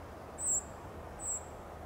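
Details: Two sharp, high-pitched 'tsip' contact notes, about 0.8 seconds apart, from a California towhee balancing with its tail against the wind in Del Monte Forest, California; low wind noise continues underneath.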